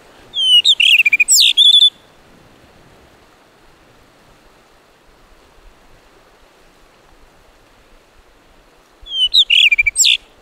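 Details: A blue rock thrush sings on a rocky seashore at Muroto, Kochi Prefecture, Japan: two bright, warbling whistled phrases of quick varied notes, about eight seconds apart, over a soft steady wash of surf.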